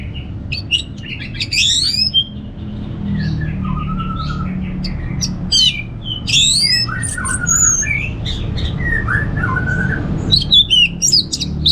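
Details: Song of an orange-headed thrush (anis merah), ngeplong style. Rapid sweeping whistles and descending slurred notes pour out in varied phrases, with dense high chatter and a low rumbling background.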